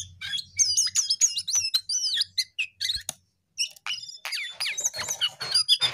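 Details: Energetic jongkangan song made of quick sliding whistles and sharp clicks in rushed phrases, then a brief silence before another burst of loud, high twittering.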